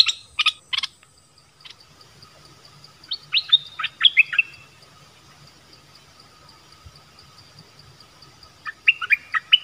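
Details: Wild birds come in as a family: a few high chirps at the start, then a quiet stretch with a steady faint tone, followed by short bursts of rising, bright notes in small groups.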